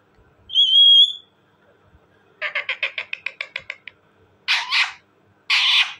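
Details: Talking parrot giving a clear, high whistle with a drawn-out note, then a rapid run of about a dozen short clipped syllables, followed by two harsh, broad squawks.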